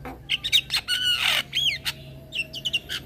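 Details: Young male black-winged starling, a caged bird used as a training recording for cage birds, singing actively while bobbing its head: harsh squawks, chattering notes and rising-falling whistled phrases in quick varied bursts.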